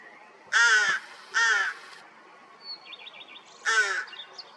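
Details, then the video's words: Rooks that have hatched chicks, mid-May 2023 following a cold spring: three harsh, nasal caws with gaps between them, and a thin high trill in one gap. "У грачей появились птенцы"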